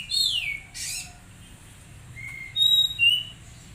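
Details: Untrained caged magpie-robin under daily care: one falling whistled slur and a short harsh rasp, a quiet pause, then three brief high pure whistles at separate pitches.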